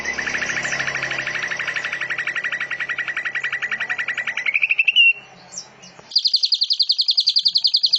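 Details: Greater green leafbird (cucak ijo) song with canary, cililin and lovebird-like phrases in tight rapid bursts: a long fast buzzy trill rising at the end into a sharp note, a brief pause, then a higher rapid trill.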